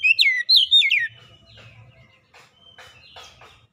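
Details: Oriental magpie-robin lure song for coaxing silent birds to sing: one second of loud, rapid falling whistles, then faint scratchy chatter and a low background hum.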